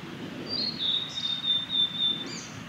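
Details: Male Blue-and-white flycatcher in song at Lake Miyagase on the Kanazawa forest road, Japan, on 3 May 2020. Sustained high whistles with a slight fall, then a short upswept twitter near the end, over light background noise.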